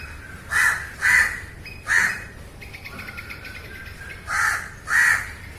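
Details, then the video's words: Live-recorded crow cawing, three coarse caws, an interval of soft chattering and whistled calls from other birds, then two more caws. "烏鴉叫聲 烏鴉呱呱叫👂烏鴉聲音效 現場錄音👍Crow Calling"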